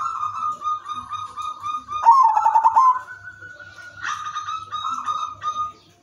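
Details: Zebra dove of the silver 'udan mas' type with a melodious rhythm, used as a lure singer to get other zebra doves to sing: rapid pulsed trill mid-phrase, then sustained clear cooing tones, over a faint low hum.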